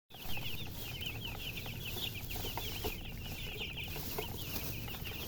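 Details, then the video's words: Chicken chirping, with a hen mentioned: a dense stream of short, high, overlapping peeps from many birds, steady throughout, over a constant low rumble of background noise. "silly chicken chirping sounds with murgi hen color chicken"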